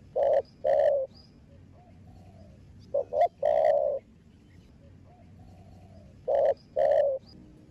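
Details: Spotted dove cooing to stimulate other doves to call: rough, rather buzzy coos in pairs and a group of three, separated by long quiet gaps, over a soft background hum.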